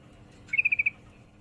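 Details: Female yellow-vented bulbul in heat calling to a male: one quick burst of five bright, even chips at steady high pitch, lasting under half a second, over quiet background hiss.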